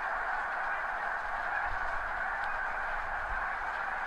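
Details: Distant clamor of thousands of snow geese spread over hundreds of meters on crops near the seaway at high tide in spring, recorded from a backyard; an even, unbroken wall of overlapping honks with little low noise.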